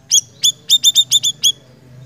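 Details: Siri-siri in lively, full song: a rapid string of eight sharp, high, clipped tsip notes, bunched closely in the middle and trailing off, over a faint low hum.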